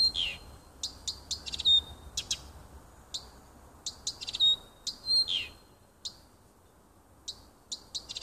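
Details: Nightingale song in a little wood near home, recorded 30 June 2015. Varied phrases of sharp clicks, brief high notes and level whistles, with buzzy falling sweeps in between, trail into scattered single notes.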